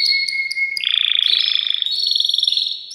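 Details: Male canary singing in a cage to excite a female for mating: a steady whistle breaks into a dense, fast rattling trill that climbs in pitch, continuous throughout.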